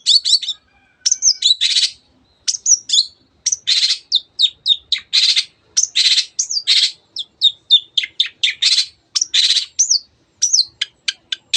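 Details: Energetic long-tailed shrike song intended to set other birds singing: a long, varied stream of high chirps, slurred whistles and scratchy bursts, delivered in quick clusters with short gaps.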